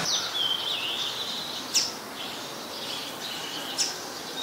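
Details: Brown-throated sunbird recorded at Ubon Ratchathani, Thailand, on 5 February 2020, giving a thin, high, wavering whistle that runs on almost unbroken, with two brief sharp ticks spaced about two seconds apart.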